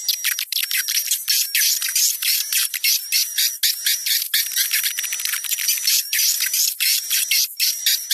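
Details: A swiftlet lure call mixing juvenile (about 20%) and adult (about 80%) swiftlet sounds, meant for bird houses: dense, high, buzzy twitters about four times a second over a thin steady whistle, with no other sounds.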